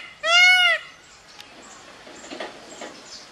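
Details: Peacock in a valley giving one loud, drawn-out nasal wail with a rich stack of harmonics, slightly arched in pitch, lasting about half a second, followed by quiet background with faint distant sounds.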